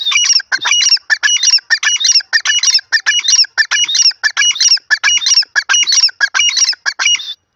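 A francolin gives loud, harsh, grating calls in quick repeated phrases, about two per second, steady throughout with no other sounds.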